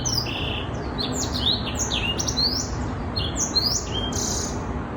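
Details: Six-month-old Black-throated Canary delivering a lively song: bright rising and falling whistled sweeps tumbling one after another without pause, over constant low broadband noise.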